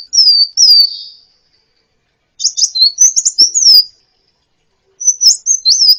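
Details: High sunbird song used for bird-training: two thin whistled slurs, a pause, then a scratchy twittering phrase of quick chirps and swooping notes, another gap, and a final brief twittered burst.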